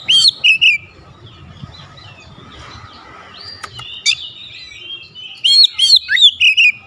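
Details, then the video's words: Oriental magpie-robin (kacer) turning emotional at a rival kacer's voice and unloading its repertoire: two bursts of loud, sharp whistled and slurred notes, at the start and again near the end, separated by a quiet hum. "SEKALI BUNYI KACER LAWAN LANGSUNG NAIK EMOSI BONGKAR ISIAN"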